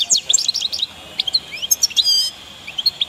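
European goldfinch giving a fast, high, liquid twitter of tinkling notes, broken by a brief nasal buzzy phrase near the end.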